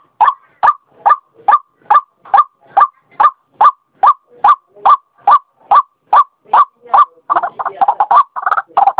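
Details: White-breasted waterhen, used as a lure call: rapid harsh notes repeated about two to three times a second in a steady rhythm, breaking into a denser, overlapping jumble of calls near the end.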